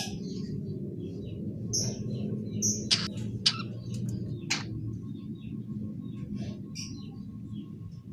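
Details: Young long-tailed shrike, known locally as pentet, chattering in the ngeriwik style while learning to sing: scattered high thin chirps and a few sharp loud clicks over a steady low hum and background noise.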